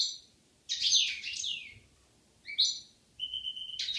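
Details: European goldfinch pair in Algeria, 2016: bright, buzzy twittering phrases in three bursts, including a rich warbled passage, a short chirped note and a level, sustained whistle, with quiet gaps between.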